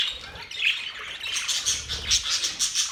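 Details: Budgerigars singing and chirping in a mating context: a dense, buzzy warble of high chirps and short squeaky notes, with brief sharp peaks near the end.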